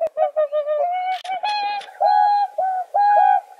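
A swan gives a run of nasal, trumpeting honks, several short notes first, then longer drawn-out ones at a steady mid pitch.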